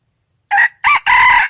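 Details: Rooster crowing: a loud three-part crow, with a short first note, a brief rising-falling second note, then a longer, steady, harsh final note. No other sounds are heard.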